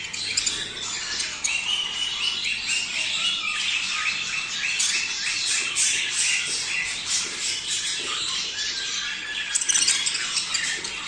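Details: Captive budgerigars giving a mating call used to prepare male and female for breeding: a busy, unbroken flock warble of scratchy chirps, squeaks and short rising whistles layered over one another.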